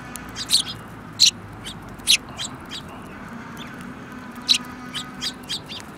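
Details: Sparrow group including one with a yellow beak, 15 February 2018, calling with irregular short, sharp high chirps, some loud and some soft, over quiet background noise.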